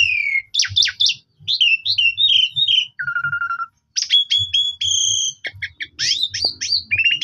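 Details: Lure song of an Asian pied starling, meant to prompt rival starlings to sing. Rapid mixed phrases: scratchy chatter, a steady lower whistle, then high sharp notes and rising squeaky whistles, with a soft low rumble beneath.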